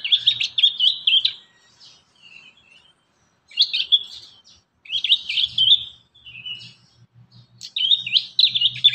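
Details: Prinia song used as a lure so young prinias learn to sing. Three or four phrases of rapid, buzzy high-pitched chirps, each about a second long, with pauses between and a faint low hum underneath.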